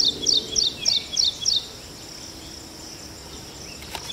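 An ashy prinia gives six quick, high, squeaky notes, about three per second, then stops; faint background hiss follows.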